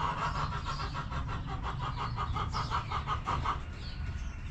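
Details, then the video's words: Backyard chickens in their coop, with soft, evenly paced clucks repeating about three times a second against a heavy low rumble. "Back Yard Chickens Continuous Footage! Rooster Crowing! Hens Clucking!"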